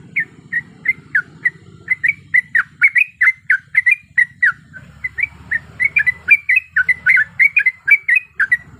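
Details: Yellow-vented bulbul female in breeding condition calling a male, used as a lure sound: rapid chattering series of bright, slurred chirps, about four a second, with low rumbling background noise.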